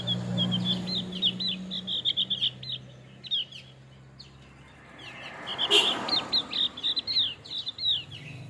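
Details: Singing male opior jawa (Javan grey-throated white-eye): quick chattering series of high, sharp chirps, a quieter gap midway, then another lively burst of rapid twitters; low background hum throughout.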